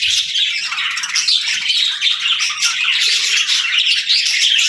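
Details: Cheerful morning chirping of pet parakeets and lovebirds: a constant, evenly loud wash of quick high tweets and warbling chatter from many birds at once, with no pauses.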